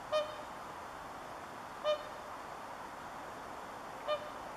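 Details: A swan on a pond at Kaleton, Siilinjärvi, at 6:24 PM on 26 September 2013, +8°C, gives three loud horn-like trumpeting notes spaced about two seconds apart.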